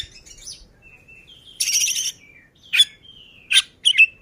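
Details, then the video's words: Oriental magpie-robin (kacer) displaying ngobra, delivering gacor ngeplay song: thin level and slurred whistles alternate with a long rasping buzzy burst and several short, loud, sharp chirps near the end, in a quiet setting. "Burung kacer ngobra, gacor ngeplay"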